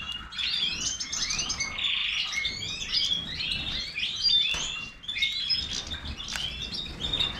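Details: European goldfinch, Major type, with a lively chattering song of rising and falling slurred notes and buzzy trills, continuous throughout.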